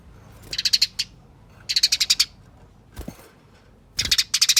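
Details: Harsh, quick-fire fighting chatter of a Eurasian tree sparrow, used to draw other sparrows into calling, comes in three short bursts and a longer closing volley, with dull thumps between.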